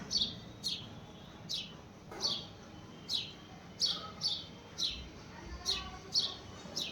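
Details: Repeated sharp chirps from a house sparrow, each a quick high note dropping in pitch, coming in an uneven stream about every half second against a faint hum.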